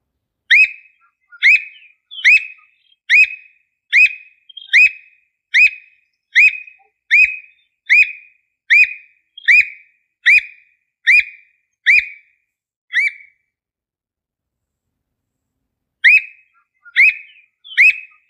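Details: In the Brazilian sertão, a squirrel cuckoo (alma de gato) gives a long series of sharp, whistled notes, steadily repeated.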